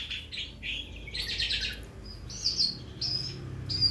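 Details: Calandra lark learning sounds for use as a lure: scratchy high chatter followed by thin, sharp whistled notes at intervals, over a soft background hiss.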